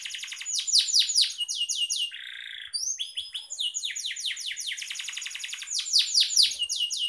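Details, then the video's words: Pet canary song used as a lure to stir other canaries into singing: long rapid trills of high descending sweeps, a brief buzzy mid-pitched note near two seconds, then whistled tones and more fast repeated trills. "5 Menit pancingan suara kenari biar kenarimu tambah Rajin Gacorrr!"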